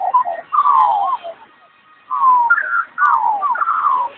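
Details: Talking magpie giving a run of clear whistled, warbling phrases that slide down and up, in bursts split by a short silence near the middle, with no other sounds.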